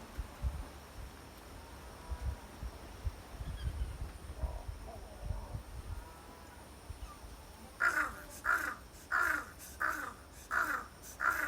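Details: Crow on Ishigaki Island, Japan: after about eight seconds of quiet background hum, it gives a run of six short, hoarse 'aha-u' calls, roughly one every half second.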